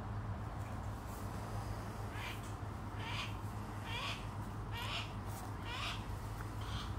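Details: Captive young female Saker falcon hatched in 2023, held in a pen: a series of six harsh, rising calls about one per second, heard over a steady low hum and broad background noise.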